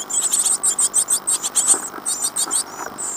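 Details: Great tit nestlings in a birdbox in Falmouth, UK, 15 days after hatching (April 2011), give a continuous chorus of thin, very high squeaking pulses, several per second, overlapping in a busy stream with no other sounds.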